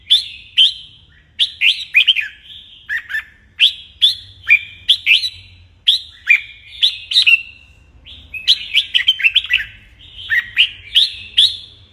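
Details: Red-whiskered bulbul at morning song training to spur competitive singing. Ringing whistled notes repeat briskly, some swooping down and others climbing, forming busy phrases with a few brief lulls.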